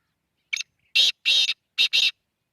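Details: Black francolin calling: a short opening note followed by four harsh, grating bursts in two pairs within about a second, against an otherwise silent background.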